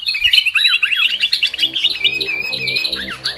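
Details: Short burst of sooty-headed bulbul lure call for bird trapping: hurried chirping and twittering that turns into a smoother, sliding whistled phrase, over a faint low humming background.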